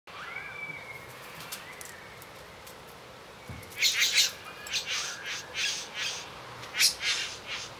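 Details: Male satin bowerbird courting a female in a theatrical mating ritual with dance, varied song and a decorated stage; faint thin whistles, then a run of harsh buzzy, crackling bursts, about five in three seconds.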